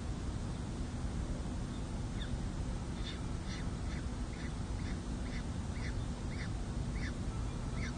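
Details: Peregrine falcons at a city hall nest in San Jose, 2 May 2024, as the second chick hatches and the adult male meets the two chicks at their first feeding. Thin harmonic notes repeat about twice a second over a heavy low rumble.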